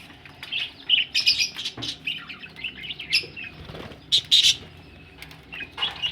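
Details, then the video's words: Busy chirping and squawky twitter from budgies ready for laying eggs, with fluttering wing noise mixed in and a couple of loud sharp chirps near the end. "budgies ready for laying egg"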